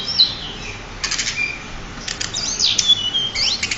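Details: Champion pied bushchat singing as a tutor for other songbirds: high thin whistled phrases and slurred notes mixed with quick buzzy rattling bursts, delivered in irregular snatches with short pauses.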